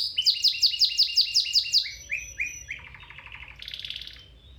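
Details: Domestic canary song for training other canaries: a rapid series of sharp high notes repeated about three times a second, then falling slurred notes, a low buzzy rattle and a high trilled tour.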